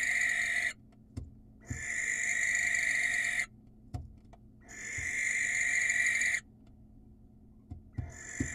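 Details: Wild barn owl screeching to attract a female: three broad, hissy screeches of one and a half to two seconds with short quiet gaps, plus faint knocks, ending as another screech starts.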